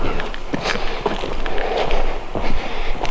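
Footsteps crunch over the ground outdoors, with faint speech and scattered rustling and knocks.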